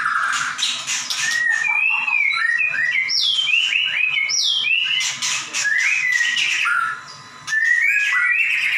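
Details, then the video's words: White-rumped shama in a cage singing energetically for other birds to learn from: quick runs of looping whistled notes, rising and falling, mixed with scratchy buzzes and a short pause near the end. "Murai batu gacor nembak"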